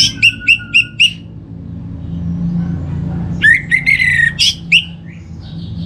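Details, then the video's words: Orange-headed thrush, a kept songbird, from North Bali, used as a lure song to get birds singing: five quick bright repeated whistled notes, then a burst of rich warbled phrases over a steady low hum. "Trbaik Buat Pancingan Burung ANIS MERAH Agar Gacor"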